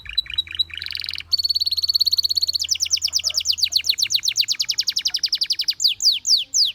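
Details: Gloster canary singing to encourage other canaries: a few short chirps open into a steady high buzzy trill, which turns into a long series of rapid repeated notes that slow into separate downslurred whistles.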